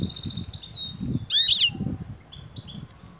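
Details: European goldfinch female calling the male for mating: a fast buzzy trill opening, one loud sweeping call, then soft high twitters, with low thumping background.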